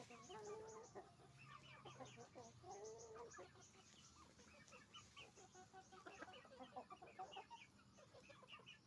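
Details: Many roosters and hens making noise on a farm, overlapping clucks and drawn squawks, some rising and falling, over a steady low hum.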